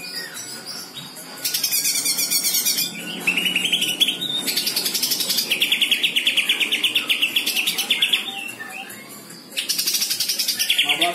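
Greater green leafbird pouring out a loud, fast song of sharp chirps and rapid trills, delivered in high bursts with brief quieter gaps between phrases.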